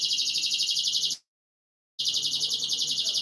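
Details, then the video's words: Rapid high rolling trill from a canary, cut by a brief silent break before the same rolling trill resumes. Used for breeding conditioning to stimulate a female's mating drive. "Ultimate Canary Breeding Conditioning Audio — Boost Your Female’s Mating Instincts Fast"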